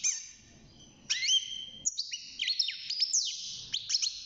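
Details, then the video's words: European goldfinch, young and caged, beginning to sing at six months, opens with a thin drawn note, then a lively jangle of rapid, twisting twittered notes. "الحسون بعد مرور ستة شهور أصبح يغرد"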